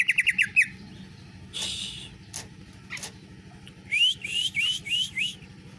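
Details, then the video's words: Greater green leafbird with canary-style song: a fast burst of high whistled notes, then buzzy rasping phrases and isolated sharp notes, ending in a series of five rising whistled chirps; steady low hum throughout. "Cucak ijo rasa kenari"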